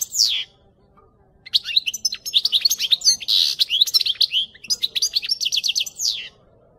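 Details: Goldfinch song played to teach other goldfinches to sing, a fast, high, tinkling twitter of mixed chirps, trills and buzzy notes, delivered in long continuous bursts with a short pause near the start.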